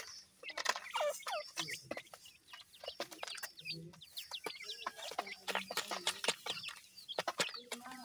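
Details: Several grey francolin chicks feed, calling constantly in short, high, slurred chirps that rise and fall, packed closely together, with loud clicks and knocks scattered through the clip.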